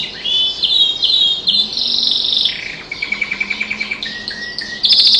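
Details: Canary kept indoors, song said to be shaped by tutoring in a closed echoing room: rich warbling phrases, then a fast dry rattle of repeated notes, a steady whistled tone, and a bright trill at the close.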